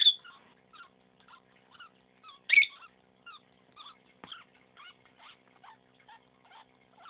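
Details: Pet lovebird, a female, making unusual sounds for a few days while acting strangely, with a clicking noise at the end of each breath: soft paired squeaky clicks repeated about every half second, with a few louder chirps.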